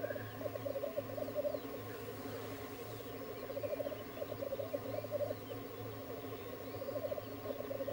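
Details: Black grouse lek with a steady bubbling, cooing chorus, swelling into louder rolling bursts every second or two, over a constant low hum.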